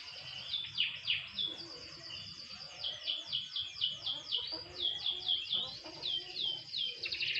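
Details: Lightly sunbathed canary singing a run of high, downward-sweeping whistled notes, each repeated several times in quick succession, with brief rolling phrases between them.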